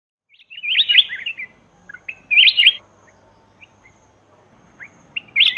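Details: Black-crested bulbul call used to lure wild birds, in Laos: short bright warbled phrases of quick rising and falling notes, given in bursts about every one to two seconds, with faint single chirps between.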